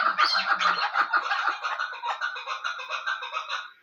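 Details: A female chukar used as a hunting decoy gives a rapid, chattering run of harsh clucking notes, about three a second, fading slightly toward the end.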